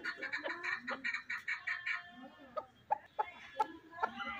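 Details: Fighting chukar partridge giving a fast string of harsh clucking notes, followed by spaced, sharper chuck calls with short pauses between them.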